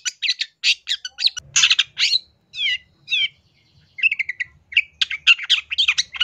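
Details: Long-tailed shrike in vigorous song rich in filler phrases, alternating harsh rasping bursts with clear descending slurred whistles, then fast chattering notes.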